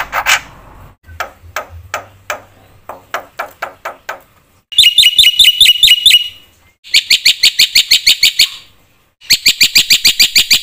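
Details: Black-winged myna singing a full, varied song meant to provoke other mynas into singing: soft knocking at first, then loud bursts of rapid, bright whistled notes in quick, even runs separated by short pauses.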